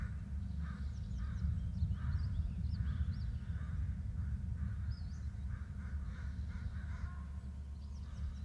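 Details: Adult bald eagles calling to each other: bursts of short, high piping and chattering notes, several in quick succession, heard over a loud, constant low rumble.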